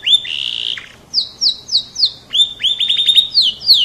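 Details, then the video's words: Canary, F1 type, singing loudly: a long buzzy held note, then a series of clear falling whistled notes, followed by rising upslurred notes with a rapid trill, all high-pitched and bright. "SUARA KICAU BURUNG KENARI F1 GACOR MANTAP JOSS"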